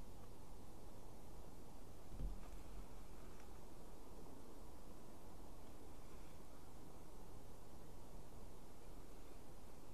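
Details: Steady low rumbling wind and outdoor noise with a faint rustle, and no animal calls.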